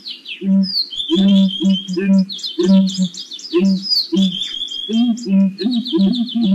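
Southern ground hornbill giving deep, hollow booming notes in quick pairs, about two per second, over a busy chorus of high chirping and whistling songbirds.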